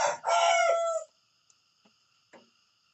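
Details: A rooster gives a harsh, drawn-out crow in the morning, lasting about a second and sliding down at the end. Small faint knocks follow afterwards.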